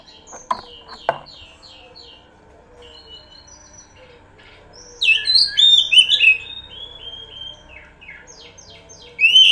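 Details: Oriental magpie-robin song recorded as a pancingan lure: two sharp clicks, then a quiet stretch, then a loud, fast run of high whistles and chattering notes mid-clip, ending with a sudden strong note.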